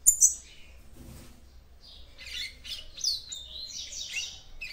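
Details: Female capped seedeater (papa-capim) song to arouse the male: a sharp high chip, a pause, then a lively run of warbled, slurred high notes.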